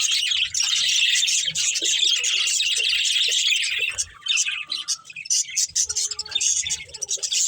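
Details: Budgerigar breeding pair chirping: a steady wall of rapid, grating warbles for four seconds, then choppier bursts of chatter broken by short gaps, with a faint thin whistle underneath.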